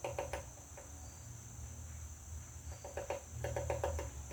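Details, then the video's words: Pecking woodpecker at a butterfly house: a cluster of dry knocks opens, a quiet gap follows, then rapid runs of three to four taps return toward the end, with steady background hiss. "Woodpecker pecking butterflies house"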